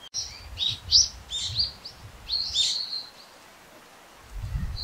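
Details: Brown-eared bulbul calling often: a run of short harsh squeaky notes around the upper-mid pitch, several in quick succession, with faint low rumble beneath.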